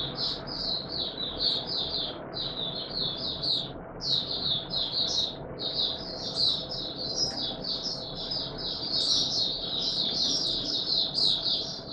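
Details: Mata Puteh Raja white-eye in continuous high twittering song during warm humid weather, March 2022, with a steady background hum beneath the fast chattering notes.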